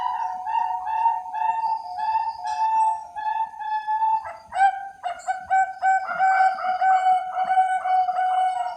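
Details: Zebra dove, Bangkok perkutut strain from a Central Java breeder in Cilacap: a wavering low coo with pulsed beats, then a brief break and another rhythmic series of clear, repeated coos.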